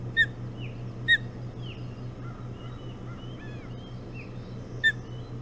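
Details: Hog Island osprey nest, 05:09 on 11 June 2017, while the birds feed on a bullhead for breakfast: a pair of piercing high chirps, a lone chirp later, and softer warbling songbirds behind a constant low drone.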